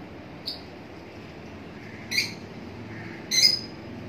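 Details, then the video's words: Lovebirds indoors giving three short, sharp high-pitched squawks spaced about a second apart, the last the loudest, in an otherwise quiet room. "love birds sound"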